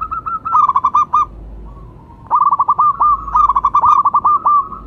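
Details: Local zebra dove (perkutut lokal), a champion lure bird for prompting others to sing, producing two loud staccato cooing phrases of about a dozen quick notes each, split by a brief quiet gap.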